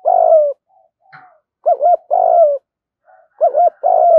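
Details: Spotted doves, male and female, cooing to stimulate training birds; repeated phrases of two short rounded notes and a longer falling rolled coo, about three phrases, with a brief soft tap between.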